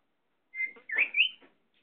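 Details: Talking pet Indian ringneck parakeet utters a brief, speech-like phrase of two or three voiced syllables with a rising, whistled edge, lasting about one second, in a quiet room.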